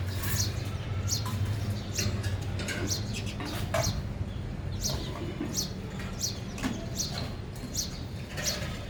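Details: Sparrows at a feeder give short, bright chirps, repeated every second or so, over a steady low rumble of background noise.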